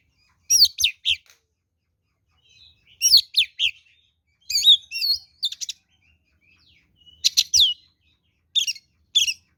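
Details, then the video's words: Oriental magpie-robin singing a fighting song as a lure: clusters of quick whistles, buzzy slurs and warbled notes in five bursts with short pauses, loud and varied. "SUARA BURUNG kacer gacor NGEPLONG TARUNG ini paling AMPUH buat PANCINGAN kacer NYAUT EMOSI"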